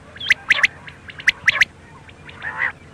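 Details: Night call of a quail: two tight bursts of crisp, ringing notes, each a quick triplet, about a second apart, followed by a softer nasal note, over a faint constant hum.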